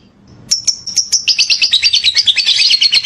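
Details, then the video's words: Lovebird giving a lively ngekek: a few loud separate chips, then a fast, continuous, rattling chatter of harsh high notes that keeps building to the end. "Ngekek makin gacor love bird"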